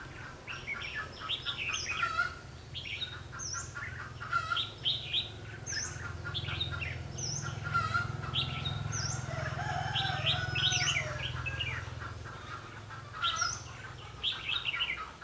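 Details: Red-whiskered bulbul recorded during trapping on 21 March 2016; bright whistled phrases, rising and falling, repeated every one to two seconds, with a steady low hum running underneath throughout.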